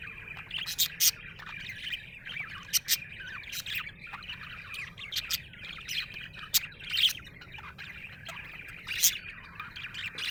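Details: Contented budgerigar chirping continuously: a thin scratchy warble studded with brief sharp clicks and high squeaks, fairly even in loudness throughout.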